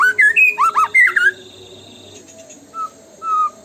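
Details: White-rumped shama singing in the tembakan style used as a lure: a quick burst of loud, sliding whistled notes in the first second, then quieter isolated whistles after a pause.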